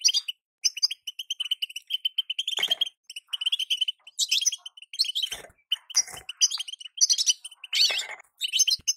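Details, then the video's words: Calling of a female European goldfinch meant to get a male in moult singing: busy strings of quick high chirps with several louder, harsher bursts spread through. "بتبته انثى لتسريع الغناء عند الحسون وهو في غيار الريش | بتبته انثى تخلي الحسون يغرد غصب عنو"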